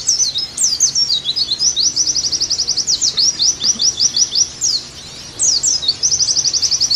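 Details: Oriental white-eye song used as a training recording to get captive birds singing actively again: high, rapid chirps and sliding notes, with fast, evenly repeated trill bursts near 2, 4 and 6 seconds and a short pause before 5 seconds.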